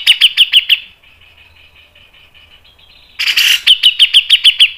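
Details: Grey-cheeked bulbul (cucak jenggot) song in a rapid mbeset style: five crisp, clipped notes, then a two-second pause with a faint thin tone, then a harsh burst and seven quick notes.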